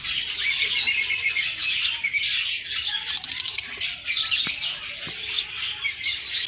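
Lovebirds chatter in a dense, continuous stream of shrill chirps and squawks, several birds calling at once with sharp high notes.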